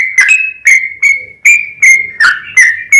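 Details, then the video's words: Yellow-vented bulbul song offered as a lure to make other bulbuls sing, here sparser: loud, clear whistled notes with short sharp attacks, spaced roughly every third of a second, some held briefly as level tones. "SUARA trucukan gacor ROPEL PANJANG pancingan trucukan agar bunyi"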